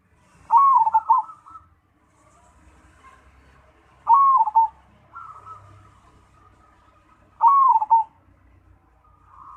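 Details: Cemani-type zebra dove cooing in a regular cycle: three bold, trilled, downslurred phrases about three and a half seconds apart, each followed by a quieter beaded cooing.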